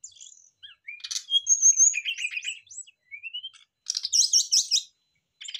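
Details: Brown-chested jungle flycatchers answering each other in full song and showing off their repertoire, used as a lure to start other birds singing; varied high whistles, slurred rising notes and buzzy trills in bursts, with short silent gaps.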